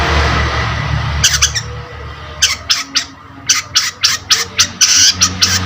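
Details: Energetic Long-tailed shrike (cendet) lure sound: a few harsh notes, a pause, then a rapid series of raspy, broadband chattering squawks at an uneven pace.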